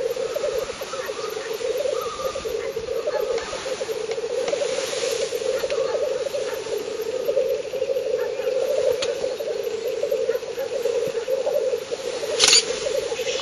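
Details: Several male black grouse at a lek in northern Finland on 30 April 2011, 50–70 metres away, keep up a steady, low, rolling bubbling coo, with one sharp sneezing hiss near the end.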